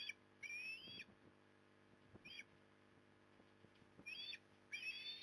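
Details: Osprey at the nest in Port Lincoln, Australia, on 15 September 2020 during an afternoon fish delivery: several thin, high, rising whistled calls in short bouts over steady low electrical hum and scattered knocks.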